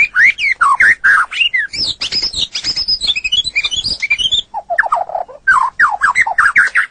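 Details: White-rumped shama song used to train cage birds: a long, varied, energetic stream of chattering notes, trills and slurred whistles, switching between high twitters and lower rapid descending notes.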